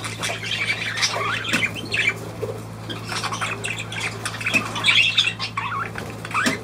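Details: Indoor pet budgerigars warble and squawk in a lively, scratchy stream of short chirps and buzzy notes, louder toward the end, over a low continuous hum.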